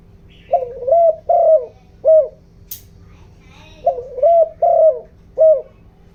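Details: Spotted dove decoy bird giving a rural-style 'giọng đồng' cooing call used to excite wild doves: two bursts of deep hooting coos, each a pair of longer notes ending in a short sharp coo, indoors-sounding background.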